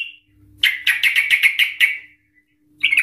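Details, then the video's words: Chatty trucukan (yellow-vented bulbul) used as a ropel lure: a quick burst of about eight loud, bright chirping notes in just over a second, then silence, then another note begins. "Trucukan Gacor EMOSI Ropel panjang Ngikluk Ampuh untuk Pancingan Trucukan agar bunyi Ropel"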